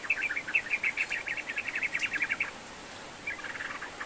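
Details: Sooty-headed bulbul singing energetically, offered as a lure to prompt a lazy bird to sing: a long run of rapid, bubbly chirping notes for over two seconds, a brief pause, then a softer chattering phrase, with light background hiss.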